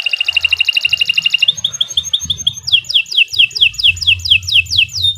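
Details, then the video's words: Singing canary, a tutor recording: fast even trill of clipped notes, a thin sustained whistle with stuttered notes, then a series of loud down-slurred whistles repeated about every quarter second. "Kicau Burung Kenari 107 II GACOR PANJANG Cocok untuk Masteran"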